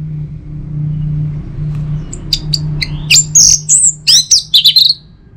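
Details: Orange-headed thrush singing in the morning to encourage other birds to sing: a steady low hum at first, then a short burst of bright whistled notes, rising slurs and quick chirps.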